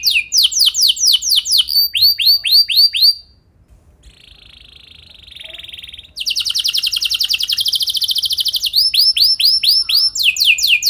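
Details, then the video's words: Canary training song to coax canaries into long rolls: tours of repeated curved whistled notes, a quieter buzzy stretch, then a loud rapid rolling trill and further whistled tours. "Pancingan Burung Kenari Biar Gacor Ngeroll Panjang! Pasti Nyaut Kenari Manasaja"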